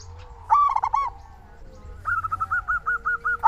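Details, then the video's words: Local zebra dove used to prompt silent doves to call; one rolling coo, a pause, then a steady run of quick repeated bubbling notes. "Perkutut lokal gacor suara paling ampuh untuk pancingan burung perkutut agar cepat bunyi"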